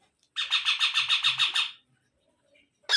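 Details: Baby parrot calling with a quick string of about eight rough, buzzy squawks over one and a half seconds, followed by quiet and a sudden loud harsh note at the end.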